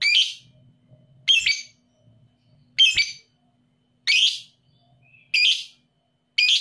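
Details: Lovebird calls used to stimulate sluggish lovebirds to sing ('paud emosi' lure): six piercing, raspy screeches repeated at uneven gaps of about one to one and a half seconds, with a soft low rumble underneath.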